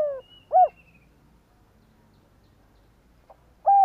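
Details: Decoy spotted dove calling wild doves in: the end of a falling coo and a short arched note, a long quiet gap, then another clipped coo note at the end.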